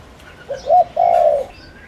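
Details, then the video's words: One phrase from a decoy spotted dove calling wild doves: a brief rising note, a short gap, then a sustained low purring coo of about half a second, with faint high bird chirps. "Cu gáy Mồi Đất kích bổi nhanh nổi/Tiếng cu gáy Gáy Gọi kích cu rừng cực nhạy/bổi nghe là gáy ngay"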